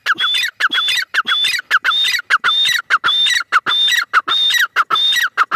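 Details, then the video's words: A female francolin calls in a continuous, rhythmic run. Each unit pairs a whistled high tone with coarse lower falling notes, repeated quickly and evenly. "madi teetar ki awaz"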